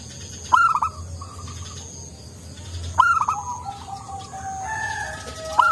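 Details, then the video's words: Local zebra dove in active song with a soft voice, giving two loud bursts of quick stuttering coo notes about two and a half seconds apart, followed by softer sustained cooing from nearby doves. "Perkutut lokal gacor suara empuk"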